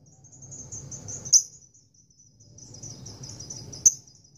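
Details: Female lovebird courting a male, giving a long ngekek chatter: a high, fast, buzzy trill of rapid pulsed notes that runs on with short breaks, broken by two sharp clicks, over a steady low hum.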